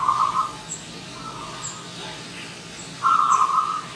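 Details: Wild zebra dove visiting, giving two short trilled, buzzy coo phrases at mid pitch, one at the start and one after a three-second pause, with faint high chirps from other birds in the background.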